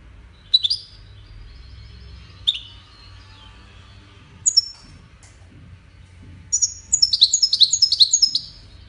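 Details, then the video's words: European goldfinch of the type called Wediani: scattered high, sharp chirps spaced a second or two apart, then a fast, tinkling burst of rapid twittering notes near the end; faint low hum underneath. "طائر الحسون الويداني"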